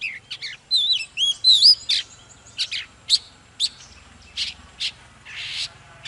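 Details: Oriental magpie-robin gives wavering whistled notes and sweet warbles, then harsher scratchy bursts spaced about half a second apart, with a faint low hum.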